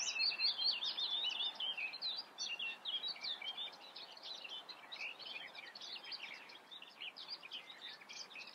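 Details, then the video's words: Continuous scratchy chatter of a Eurasian reed warbler, fast jerky notes tumbling over one another, loudest at the start and softening toward the end, with light background hiss. "Teichrohrsänger (Acrocephalus scirpaceus), Eurasian reed warbler"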